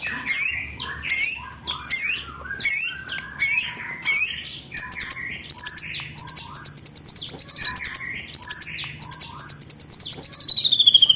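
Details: White-rumped shama singing as training material for contest birds: a series of short sharp upslurred whistles repeated about once a second, then fast strings of high clicking notes and long ringing trills.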